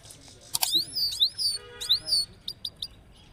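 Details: European goldfinch from Parachinar singing: a brief series of high, whistled notes that rise and fall, with a few sharp clicks before and after.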